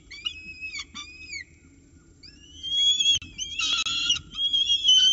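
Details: Peregrine falcon chicks fed in their Orange nest box at 9:36 am on 29 October 2018. Curving whistled calls rise and fall, followed by a burst of loud, harsh screeching and then further high whistles.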